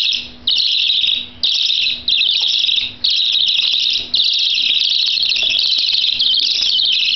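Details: Budgerigar chicks begging for food in 2011 give harsh, raspy, high-pitched wheezing calls in long, almost continuous bursts with brief pauses, over a faint low hum.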